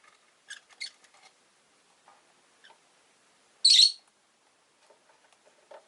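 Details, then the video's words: Caged rosy-faced lovebirds with orange faces and green bodies, five kept by a window: one loud harsh screechy chirp near the middle, with faint scattered clicks and soft chatter before and after. "Lovebird Chirping Sounds"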